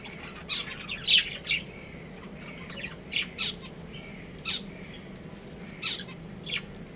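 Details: Budgerigar breeding pair kept at home, giving short harsh squawky chirps in small clusters separated by pauses of one to two seconds over faint background twitter.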